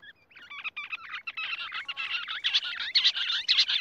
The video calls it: Rock bush quail sound